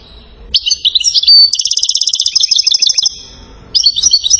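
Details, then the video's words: Salasiyat-style song of a European goldfinch from Settat, Morocco: twittering notes lead into a long, steady, rapid trill of about twenty repeated notes, a short pause, then more chattering. "جديد تسجيل ناذر لقب بملك السوافج اعظم ما انتجت الطبيعة في التغريد جدر محسن من سطات ملك السلاسيات"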